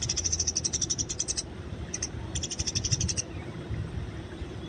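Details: Wild Eurasian tree sparrow fighting, recorded for training: quick high chirps in a burst, a brief pause, then a short second series, over low rumbling background noise.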